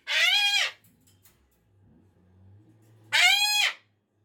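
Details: Pet cockatoo screaming on a Monday morning, unhappy that the weekend is over; two loud, harsh, drawn-out screeches with a rising then falling sweep, about three seconds apart, with faint indoor rustling between.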